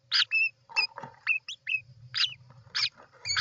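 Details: At a European roller nest, recorded 29 June 2024, loud harsh rasps alternate with short arched whistled notes in a rapid, uneven sequence, with a faint low hum beneath.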